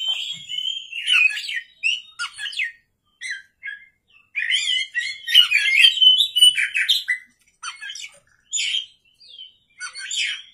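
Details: Vigorous night song of an Oriental magpie-robin (kacer): short bursts of sweet whistles and scratchy chatter broken by brief silences, with a long rich, varied phrase in the middle.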